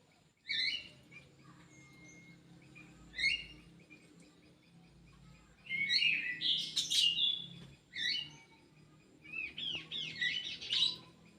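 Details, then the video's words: Kidangan kaso kaso bird kept in an aviary in Indonesia, where birds are bred for conservation. It gives short bright chirped phrases with rising and falling notes, then a denser twittering burst near the middle and rapid trilled notes toward the end. "BURUNG KIDANGAN KASO KASO"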